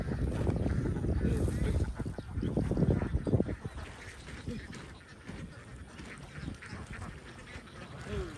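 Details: Large flock of young ducks on a Vietnamese farm, loud jumbled quacking in the first few seconds that thins to a quieter, scattered chatter, ending with a single short rising call.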